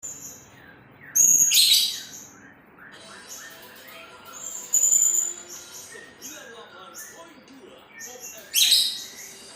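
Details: Blue-crowned hanging parrot (srindit) singing in the 'nembak' style: three brief, very high, thin piercing bursts spaced a few seconds apart, with faint low murmuring between them.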